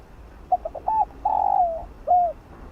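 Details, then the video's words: Spotted dove cooing in the field-voice style used to excite lure birds: three short quick introductory notes, a long sustained mellow coo sliding down at its end, then a separate curved closing coo, over a low steady background hiss. "Chim cu gáy kích bổi gáy nhanh❣ tiếng chim cu đất gáy gọi giọng đồng kích bổi tập mồi hiệu quả"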